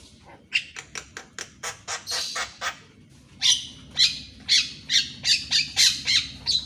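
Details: Javan myna singing in the morning, recorded as training material for captive mynas reluctant to sing. It gives a run of harsh, broadband squawking notes, first short and quick, then longer and louder, about two per second, with a faint low hum.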